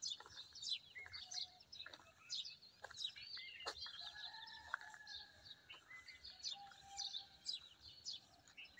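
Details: Several sparrows chirp busily beside a maize field with trees under a cloudy sky: short high chips overlapping several times a second, mixed with a few longer, lower whistled notes from other birds.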